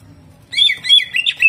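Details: Greater green leafbird in hyper 'jamtrok' singing with harsh 'tembakan kasar' bursts: after half a second of quiet, a dense run of high, sharp whistled notes and quick slurs.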